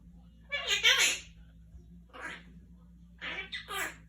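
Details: Pet Quaker parrot indoors in a small room, playing peek-a-boo with its owner, producing high-pitched, raspy speech-like phrases in three bursts with quiet pauses between and a steady low hum in the background.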